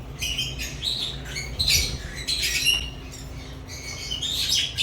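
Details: African lovebirds singing and chirping: a dense, steady stream of sharp, high squawky chirps and short buzzy notes overlapping almost without pause, with a few louder bursts, over a faint low hum.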